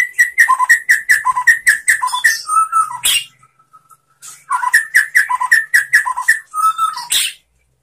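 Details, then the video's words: White-rumped shama master song for teaching other shamas: a steady series of clear two-note whistles repeated about twice a second, a short pause, then the same series starting again and ending in a sharp high burst. "SUARA MURAI BATU bikin GACOR BONGKAR ISIAN ¦ MASTERAN MURAI ¦ SHAMA BIRD"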